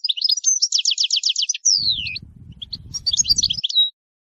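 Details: Singing European goldfinch: a fast series of high, liquid, rolling notes, then a descending slurred whistle and more twittering phrases, with a low rumble in the middle.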